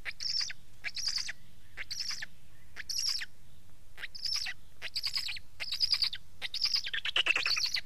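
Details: Black stork producing a regular sequence of short, harsh, breathy rasps spaced about a second apart, the last ones running together into a longer wheezing burst.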